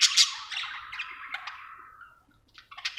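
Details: Happy budgie gives loud squawky chirps that fade into a long descending chattering warble, a brief hush, then a few sharp chirps.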